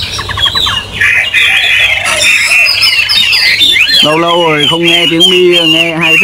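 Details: Caged Chinese hwamei kept as a songbird, its owner remarking he has not heard it for a long while and it sounds good: rapid varied whistled phrases and trills, then a man's loud speech covering the final seconds.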